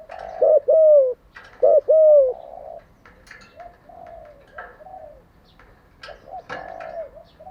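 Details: Spotted dove calling as a decoy for training wild-caught and decoy doves; two loud phrases of a short note plus a drawn-out falling coo, then softer, fainter cooing trailing on.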